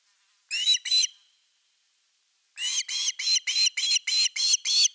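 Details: Osprey at nest #3, 30 August 2021, evening fish: two quick high whistled notes, a pause, then a fast regular run of piercing chirps, filmed by nest camera.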